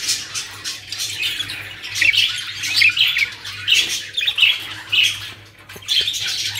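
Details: A group of caged budgerigars in Pakistan chatters steadily, mixing scratchy warbles with clear little whistled notes about every half second, over a low steady hum.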